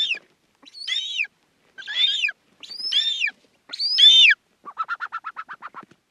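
An eagle gives four harsh, high screams, each slurring downward over about half a second, then a fast run of about ten short chattering notes.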